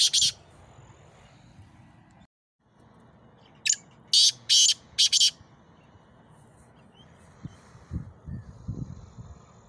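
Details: Male black francolin, the Sindhi kala teetar, calling: one short harsh burst at the start, then a loud phrase of about five grating, scratchy syllables across two seconds, over a low rumbling background with faint small-bird chirps.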